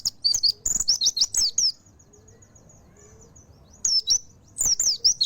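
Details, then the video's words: High, rapid tumbling phrases from a mountain white-eye open and close the passage, with a quiet stretch between carrying a faint thin hum and soft low whistles. "Pleci Montanus Full Nembak"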